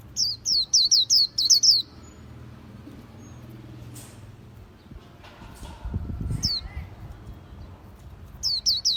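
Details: White-eye song: bursts of high, sharp, hooked chirps repeated rapidly for two seconds, then low rumbling background noise, a few scattered notes, and a final burst of the same chirps.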